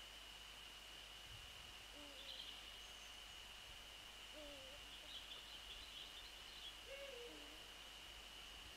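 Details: Male and female Eurasian eagle-owls heard around 6:28 on 28 February 2014: three soft, deep, downward-curving hoots, with faint high songbird twitters and a constant thin hiss behind them.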